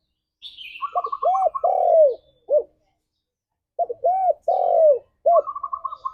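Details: Spotted dove coo phrases, used for luring and prompting song, given twice, each with stutter, arched coo, long falling coo and clipped ending, while another bird gives rapid repeated chirping notes and a high descending whistle.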